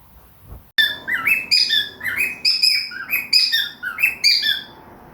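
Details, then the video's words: Cockatiel and budgies singing together in the morning: a lively, varied warble of sliding whistled and chirped notes, some high and tonal, tumbling in irregular clusters over a faint room hum. "MORNING TUNES with KOKO the cockatiel and the budgies"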